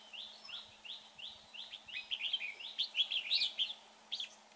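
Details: Red-whiskered bulbul, described as good-looking with a lovely voice, heard at a trap: evenly spaced chirped notes that grow louder into a quick cluster of bright warbled phrases, then fade.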